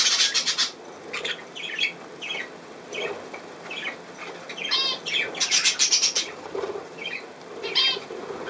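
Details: Budgerigars at play, recorded 27 August 2024: dense bursts of high, scratchy chirps and warbles in quick clusters, loudest near the start and around five to six seconds, with softer chatter between.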